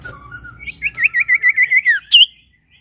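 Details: Prinia lure song meant to set other birds singing: soft low notes lead into a run of quick wavering high whistles that drops at the end, closed by one brighter upward note.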